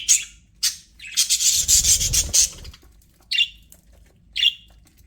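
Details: Budgerigars kept as pets in an aviary give a long raspy, scratchy chattering burst followed by two short separate chirps spaced about a second apart.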